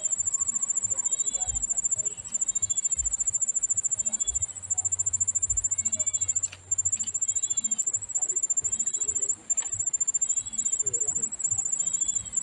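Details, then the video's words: Begging from hungry young Bar-winged prinias awaiting a slow-feeding mother: a steady run of arched, harmonic calls about every second, set against a constant loud insect trill, with occasional clicks and a low hum. "ANAK BURUNG PRENJAK MEONG KELAPARAN"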